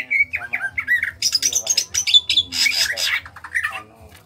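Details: Greater green leafbird from Kalimantan, small in body, singing ngentrok style. Descending whistled notes lead into loud, rapid, buzzy chatter and squeaky high phrases that fade out toward the end, with soft low pulsing beneath.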